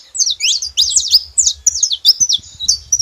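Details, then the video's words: Saffron finches chirping as a group, bright high notes sliding up and down in quick tangled phrases, over a faint low thumping. "Canário da terra junto fazendo barulho"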